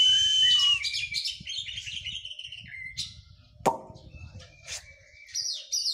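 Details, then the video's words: White-rumped shama singing in post-moult training: a loud level whistle, varied warbled high notes, a sharp click, then scattered high phrases, with low rumbling background. "KACER PRO HYPER LATIHAN FISIK PASKA MABUNG"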